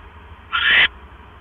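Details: Owl at the nest on the night of 12 October 2015, 9:40 PM, with a mouse. A single harsh, hissing screech of about a third of a second over a quiet steady hum.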